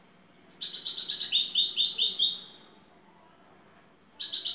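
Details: Şakşaklı-style song of a European goldfinch lead bird from Turkey: one brisk string of quick, jangling high notes lasting almost two seconds, then silence and the start of another burst.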